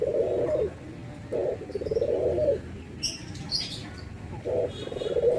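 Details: Quiet, grainy coos of a Barbary dove, from a comparison of white and brown birds: short burst then longer rolling note, repeated, with a few high chirps from small birds in between.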